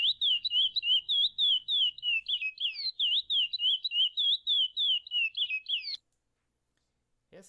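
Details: Chestnut-bellied seed finch (curió) singing a paracambi-style song, described as a serrada mateira and an eight-note phrase from an early training recording. Clear, sweet whistled notes slur up and down in quick repeated loops for six seconds. Silence follows, then a brief sound.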